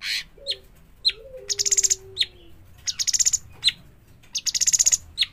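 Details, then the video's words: Young sooty-headed bulbul repeating pulsed buzzy rattles interleaved with sharp high chirps, roughly in alternation. A faint lower whistled note slides downward in the background. "burung cucak cungkok trotolan"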